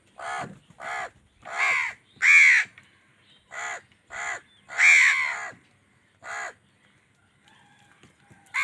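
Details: Angry crow calling while wild birds fight with crows over food: a series of about ten harsh, hoarse caws, each roughly a third to half a second long, some longer and louder, spaced irregularly with short quiet gaps.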